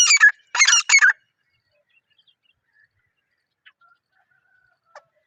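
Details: Partridge calling in the wild jungle, natural unedited sound: three loud, harsh, rasping notes given in quick succession, the first short and the next two close together, followed by near silence with a couple of faint clicks.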